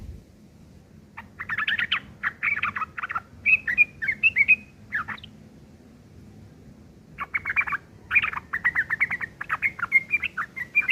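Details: Rough 'ngeriwik kasar' chattering of a sooty-headed bulbul, meant for teaching long-tailed shrikes: rapid bursts of harsh, scratchy notes in two long phrases separated by roughly two seconds of quiet.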